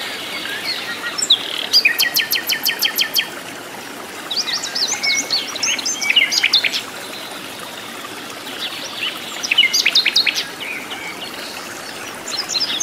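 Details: In its natural wild habitat, a sikatan londo flycatcher sings busily. Three rapid bursts of high, dry stuttering trills are separated by quieter gaps, with a soft watery rush throughout.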